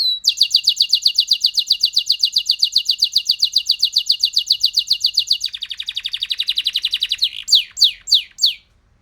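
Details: A canary sings a long, fast, even trill of bright notes held for over five seconds, then shifts into a second rattling trill, ending with several loud downward-sweeping whistled notes.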